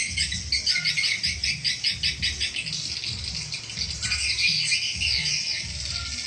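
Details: Calling sound to attract swiftlets: rapid high-pitched chirps repeated in quick, uneven pulses, dense and twittering throughout, with a low thumping rumble beneath.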